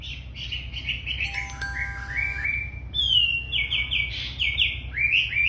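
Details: Very tame racket-tailed treepie in lively song: a run of short whistled notes, a steady electronic-sounding tone in the middle, then bright, repeated, slurred whistles rising higher.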